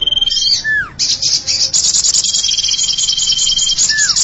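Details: Common iora lure sound: long, level high whistles, each ending in a sharp downward slur, set against a dense, buzzy, high chattering trill that runs almost the whole time.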